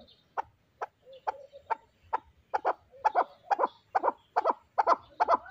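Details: Fighting chukar partridge in captivity, its clucking calls starting single and spaced, then quickening into doubled chuck-chuck notes that grow louder through the series.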